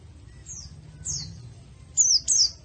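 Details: White-eye in a masteran recording for training birds, giving a few sparse, high downslurred notes, the last two louder and close together, over faint background hum.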